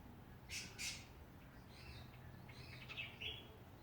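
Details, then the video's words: Backyard songbirds at Ballajura, Western Australia, produce two harsh, broadband squawks followed by softer, higher warbled notes, against a low background hum. "Australian songbirds in backyard."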